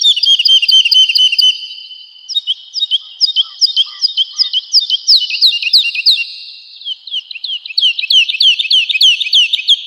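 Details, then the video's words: Training recording of an actively singing Woodlark for home and contest cage birds, with dense repeated high notes giving way to a steady, tightly packed stream of louder downslurred whistles lasting about ten seconds. "Woodlark Gacor | Suara Merdu, Speed Rapat, Tembakan Tajam"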